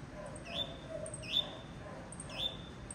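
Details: Blue-black grassquit giving three evenly spaced, swooping upslurred notes, each ending in a level whistle, with soft background noise.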